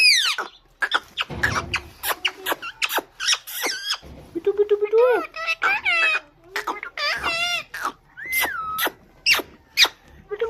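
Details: Pet parrot chattering indoors in a rapid string of squeaks, clicks and high whistled notes. Short squeals and speech-like babble run throughout, with brief pauses between bursts.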